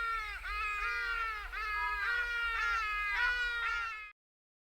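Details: Hadada ibis in a park near the beachfront in Durban, South Africa, giving its loud, nasal, cawing call: about six to seven harsh notes, roughly two per second, each dipping slightly in pitch, with a faint low rumble behind.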